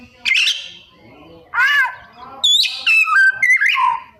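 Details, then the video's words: Oriental magpie-robin in lively song with copied phrases: a sharp chirp, a harsh harmonic arching call, then fast tumbling whistles that drop in pitch, some clipped and repeated. "Cara Jitu Membuat Suara Kacer Gacor Rajin Bongkar Isian - 99% Burung Kacer Isian Mewah"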